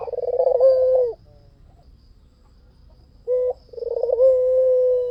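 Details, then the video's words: Lure recording of a white dove in vigorous song. A rolling, pulsed coo ends in a drawn-out low note, then a quiet gap follows, then a brief clipped note and another long, steady hum. "SUARA PUTER PUTIH FULL GACOR || PANCINGAN AMPUH"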